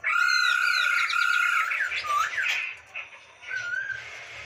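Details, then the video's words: Masked laughingthrush singing constantly, recorded in Indonesia for training other birds: a long loud harmonic note with buzzy overtones, then tumbling slurred whistles and a soft low-pitched ending. "MASTERAN BURUNG POKSAY HONGKONG SUPER GACOR"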